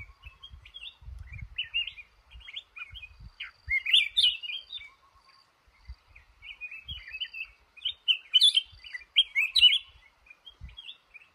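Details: Male red-whiskered bulbul held in a trap, giving bursts of quick, warbled chirping phrases in two main bouts, with scattered softer chirps and low knocks in between.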